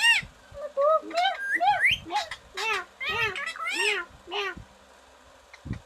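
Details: Talking green parrot producing a run of harsh, speech-like syllables with rising and falling inflections in quick succession, followed by a pause and one last short sound.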